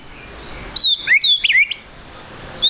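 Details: White-rumped shama song played as a lure to get the bird singing quickly: a short burst of high, thin whistles and quick rising slurs, with faint background noise.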